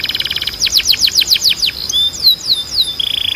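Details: Canary singing for canary training: a buzzy trill, a run of rapid downward sweeps, slower descending whistled slurs, then a flat, buzzy, warbled ending phrase.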